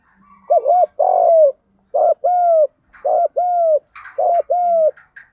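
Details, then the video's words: Spotted doves, male and female, giving the 'gù đấu' fighting coo to stimulate new decoys; four low paired coos in a row, each a short hooked note then a longer level tone, light clicks between. "Tiếng chim cu gáy GÙ Đấu cực chuẩn để kích bổi mới"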